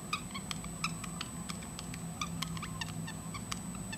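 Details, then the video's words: Pet parrotlet singing and dancing indoors, chattering in quick, uneven bursts of short, sharp chirps and clicks, about three or four a second, over a steady low household hum. "Parrotlet Singing"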